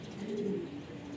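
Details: Kept pigeons being let out give a single deep, rolling coo that swells and then fades over about a second, heard fairly close with a quiet background.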